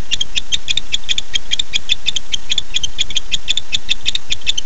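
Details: Male barn owl calling for his mate at night, 9:54 pm on 9-8-15, picked up by a nest camera: a fast, uneven train of sharp high ticking clicks, about two or three per second, over a low steady hum.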